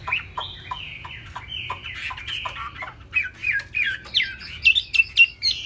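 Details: Laughingthrush with a large fig-leaf-shaped tail, singing high while bowing and tail-flapping; softer, jumbled whistles mixed with harsher notes and clicks, growing brighter toward the end.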